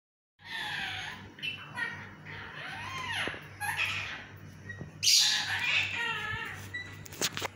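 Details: Pet yellow parrot in a talking mood indoors, giving a run of harsh, speech-like squawky phrases with swooping tones, louder bursts near the end.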